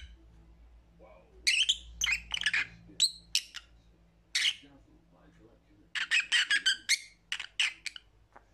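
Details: Lovebird giving shrill, harsh chirps in quick bursts, a run of several sharp notes near the middle and another cluster toward the end, with quiet pauses between them and a low hum in the background.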